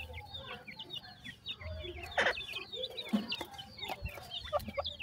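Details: Five Grey francolin chicks beside a female at feeding time give many thin, high, downslurred cheeps in quick succession, while the female adds low clucks and a few louder, rougher notes. A faint low hum runs underneath.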